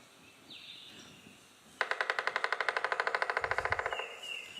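A Pileated Woodpecker drums in a rapid, even roll of about 25 hard knocks over two seconds. Faint high bird notes come before and after.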